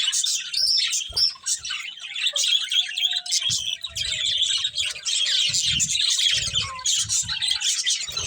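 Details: Pet budgerigars from a breeding pair give a steady stream of high, busy chirps and warbled chatter, with a faint thin whistle running beneath and occasional low knocks.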